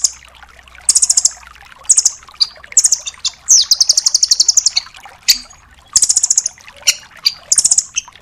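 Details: Velvet-fronted nuthatch (rambatan doraemon, rambatan paruh merah), a 'full tembakan' recording used as a master to teach songbirds: short, very high, rapid trilled bursts, plus one longer, slightly lower rattling run near the middle.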